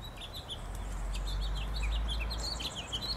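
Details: A red house finch in a park in Oak Bay sings a lively, jumbled warble of quick, varied chirps and slurred whistles, mid to high in pitch, over a steady low hum, on 27 January 2012.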